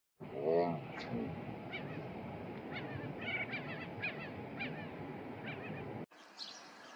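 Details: A Whimbrel (Numenius phaeopus) gives a string of short, high piping notes, roughly three per second, half-buried under strong wind rumble; a brief low voice-like sound opens.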